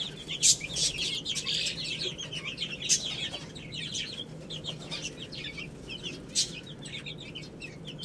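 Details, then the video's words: Several chicks pecking at rice, chirping constantly in bright, high, overlapping cheeps, with a few loud pecking clicks. "Cute Little Chicks Eating Rice | Beautiful Chicks Chirping Sounds"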